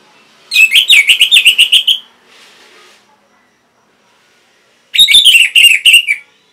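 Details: Orange-headed thrush singing, used to stimulate caged birds: a rapid rattling run of about ten sharp whistled notes, a pause with faint rustle, then another fast burst of jumbled whistles.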